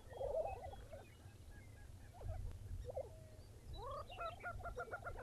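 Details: Early morning near Buffalo, Oklahoma, with Lesser prairie chickens: scattered clucks and cackles, then a rapid rising series of sharp repeated notes near the end, all over a steady low wind rumble.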